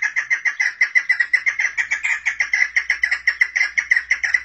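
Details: A female chukar partridge (Alectoris chukar) gives a fast, steady run of harsh, mid-pitched clucking notes, about five a second, with no other sounds.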